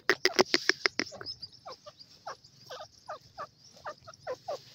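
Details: A caged pair of fighter partridges (dakhni teetar) calling: a loud burst of rapid harsh notes, then a steady run of short, grating chuckles about three per second.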